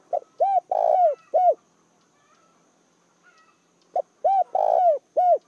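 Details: Spotted dove calling as a decoy to attract wild doves: low mellow coos in a short phrase of four notes, one drawn out and longer, then a pause of over two seconds before the phrase repeats.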